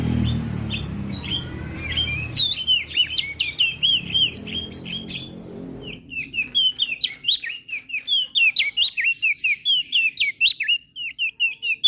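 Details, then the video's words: Crested white-eye from Lombok in full, melodious song, used as a master recording to coax reluctant birds into singing: rapid high whistled notes sliding up and down, thickening after a low rumbling start into a steady run of repeated slurs. "Opior JAmbul Laombok Gacor Suara Merdu - MAsteran Dan Pancingan Burung Malas Bunyi"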